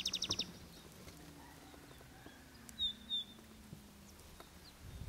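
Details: Palestine sunbird (Cinnyris osea) song: a fast burst of high, thin, ticking notes, then two sharp, high, squeaky chirps over quiet outdoor background noise.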